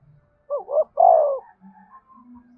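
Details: Spotted dove giving an energetic prompting coo for caged birds to answer. A crisp phrase: two brief hollow notes, then a longer, louder, falling croo. Low soft hums follow.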